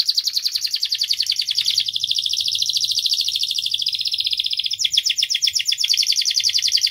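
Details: Canary (kenari) song played to prompt young canaries to respond and sing: a continuous high, fast trilling roll with rapid repeated notes, rising in intensity, with no pauses and little background noise.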